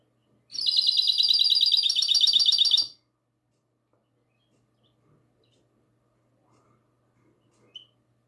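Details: Goldfinch hybrid singing classic song on the night of 22 March 2020: one steady two-and-a-half-second burst of rapid, evenly repeated buzzy trills, followed by near silence with a single faint chirp.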